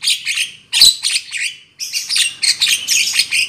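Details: Harsh squawking chatter of a Black-winged myna, a lure call for trapping, in two rapid phrases of grating notes with a gap between.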